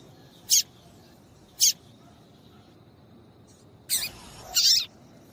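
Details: Female papa-capim seedeater calling, a call used to get males singing for song tournaments: two short, sharp high chirps about a second apart, then a longer harsh, noisy burst and another squeaky note near the end.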